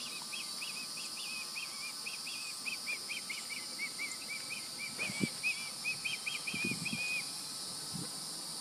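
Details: Juvenile Osprey calling by the nest after fledging, July 16, 2020: a string of high arched chirps, some wavering, for about seven seconds, with hiss and a few low thumps.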